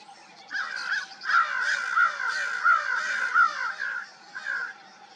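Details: Crows calling at dawn: a run of harsh, hoarse caws, some overlapping, repeated in uneven bursts for several seconds before fading at the end.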